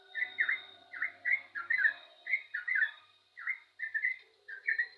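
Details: Yellow-vented bulbul in energetic song, repeating rich gurgling whistled phrases of two or three swooping notes, spaced by brief pauses, over a faint constant hum.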